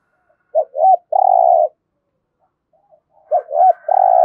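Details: Spotted dove giving 'gù thổ' style coos to stimulate cooing: two quick arched notes and a long buzzy coo, a silent gap, then the phrase repeated with a faint higher tone behind it.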